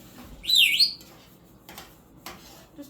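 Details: A hungry pet African grey parrot, throwing a tantrum while waiting for eggs to cook, gives one loud, harsh, wavering squawk lasting half a second, dipping then rising, followed by faint kitchen clatter in a small room.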